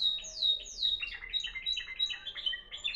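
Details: Timbrado canary of Moroccan origin, 2021, in discontinuous song: two steeply falling whistles, then a jumbled run of short warbled notes.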